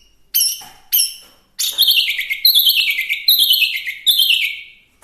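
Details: Singing Chinese hwamei: two short, bright chirped notes, then a long rolling phrase of fast repeated notes that steps gradually downward, ending in a sweeping whistle.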